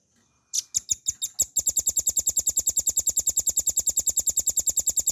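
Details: Velvet-fronted nuthatch, a cage bird, in a clear ngebren training recording. A few spaced, loud, high notes speed up into a dense, steady trill of piercing chips that carries on for over three seconds.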